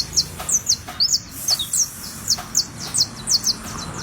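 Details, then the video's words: Saffron finch, known locally as canario da terra, warming up its song: a run of short, high, sharply descending chirps repeated roughly every third of a second, with occasional clicks and a low background hum. "FOGUEO O CALENTAMIENTO CANARIO DA TERRA"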